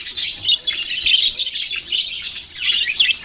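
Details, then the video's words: Budgies chirping, recorded November 6, 2023. Lively, overlapping high chirps and warbled twitters come in quick bursts, with one short dip in the chatter near the middle. "Budgies beautiful colours and chirping sounds"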